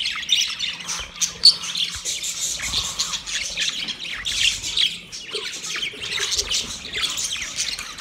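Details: Several budgies chirping and warbling to another budgie, a continuous bright chatter of short squeaks and buzzy twitters with one sharp peak early on.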